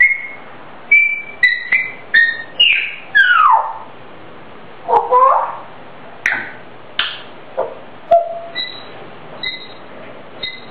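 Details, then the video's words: Pet grey parrot singing a self-made tune: a string of clear whistled notes, some steady and high, others sliding down steeply, with short gaps between phrases and roughly a dozen separate notes. "Gray parrot - 灰鸚 Cuckoo 唱自創曲"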